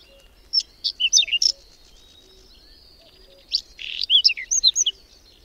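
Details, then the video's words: Whinchat in a cold, windy May snowstorm near Domzheritsy in the Berezinsky Biosphere Reserve: two brief song phrases of clipped, sharp whistles and scratchy notes, about three seconds apart, with a thin drawn-out tone between. "Луговой чекан в майскую вьюгу"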